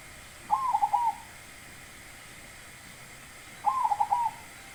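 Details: Zebra dove giving its song, two brief cooing phrases roughly three seconds apart, each a trilled rising note followed by a few rapid stuttered coos, against faint constant background noise.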